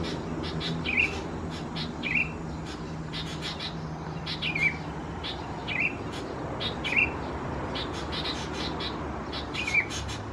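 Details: Juvenile Sooty-headed Bulbuls (subspecies thais) at Khao Yoi, Phetchaburi, Thailand, 17–20 June 2020: six brief, slurred chirps at roughly one- to two-second intervals, interspersed with many sharp clicks and ticks.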